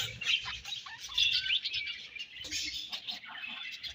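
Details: Budgerigars exchanging food while feeding, a continuous high chattering warble of twittering chirps and short squeaks, several birds overlapping, with soft background noise.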